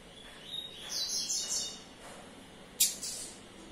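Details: A captive Double-collared Seedeater, the son of another singer and kept covered during a short road trip in Baixada Santista, sings high, thin twittering phrases, then a sharp, bright note near the end, over a faint background hiss.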